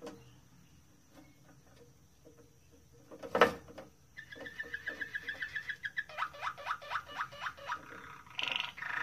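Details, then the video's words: Moroccan Malinois canary indoors: a loud knock, then a steady rapid trill followed by a run of quick down-sweeping notes repeated about twice a second, closing with a brief rough burst. "تغريد جميل لكناري مالينوا مغربي"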